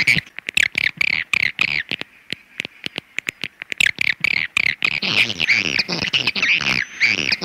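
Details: Swiftlet sounds: a long series of crisp clicks at the start, thinning out midway, then a steady stream of buzzy overlapping chirps toward the end.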